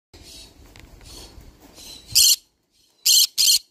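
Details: A green-cheeked conure gives three harsh, raspy screeches, each about a fifth of a second long, after soft background rustling.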